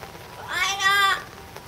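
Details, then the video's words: Yellow-naped amazon at Higashiyama Zoo and Botanical Gardens, filmed July 2011, giving a single drawn-out, rising then falling harmonic shout lasting under a second over a steady background hiss. "キエリボウシインコ「わあああーーー！！！」Yellow-naped Amazon shout !!"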